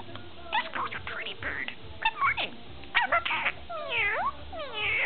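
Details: Ten-month-old male pet budgerigar chattering: quick jumbled squeaky and warbling notes, then several long downward-sliding whistled calls near the end, with a steady low indoor hum beneath.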